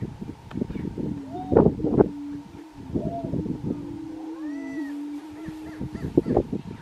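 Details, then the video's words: Grouse at a Colorado lek in 2023 giving a continuous low hum, with loud low flutter bursts and faint arching whoops and cackles layered above, several displaying birds together. "Colorado Lekking Grouse"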